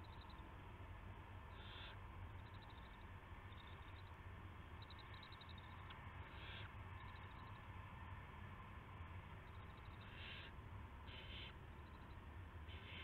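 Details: Nest of an owl before sunrise, March 9, 2016, with a rat delivered: soft raspy bursts scattered through the recording, some faint ticking clicks between them, steady background drone throughout.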